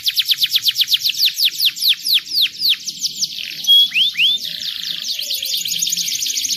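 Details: Canary song played to stimulate young canaries to sing: a fast series of high descending whistled notes repeated about four times a second, then a few rising slurs, followed by a dense high trill.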